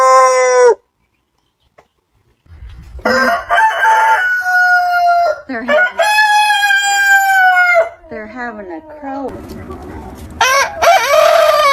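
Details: Several rooster crows in turn: a short crow ending in a drop, a pause, then long harmonic crows of one to two seconds each with slurred, falling tails, and one more crow starting at the end.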